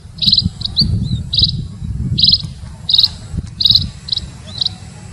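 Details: High, thin chirps from a munia, roughly 85 a minute at an uneven pace, some buzzy and some whistled, with a rumbling hum below.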